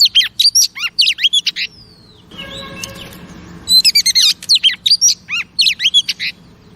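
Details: Female oriental magpie-robin, used to rouse caged males: quick descending whistled notes, a long sliding whistle, then a second of broad rustling noise before the bright chirping phrases resume.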